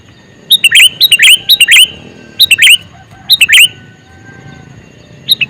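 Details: Male sooty-headed bulbul calling: short bubbly phrases of three to four clear, liquid notes, loud and close, given in quick succession with brief pauses, about seven phrases in five seconds over a quiet background.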